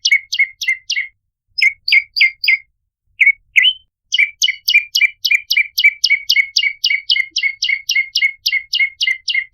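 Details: Ashy tailorbird (prenjak lumut) lure sound: short groups of falling, sharp chirps broken by brief gaps, then a long steady run of rapid, repeated notes lasting several seconds; nothing else audible.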